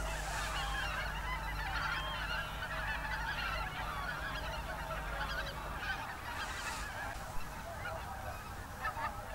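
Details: Roosting whooper swans and geese at dusk in a German national park, February 2023: a thick, steady chorus of honking, bugle-like calls from a large flock, voices overlapping without pause, over a low steady hum.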